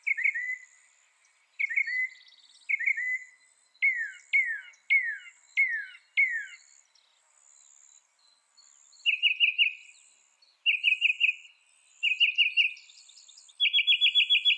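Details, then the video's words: Northern mockingbird song in varied series: sweeping downslurred notes repeated several times, then quick rapid trills and a buzzy chattering phrase, each type given in runs before switching, with a faint high insect drone behind. "Northern Mockingbird Bird Sound Bird Song Bird Call"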